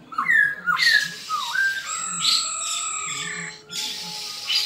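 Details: Black-throated laughingthrush fighting song: loud, bouncing whistled notes dipping and rising, then a long, level pure whistle held over two seconds, ending in a harsh, noisy burst.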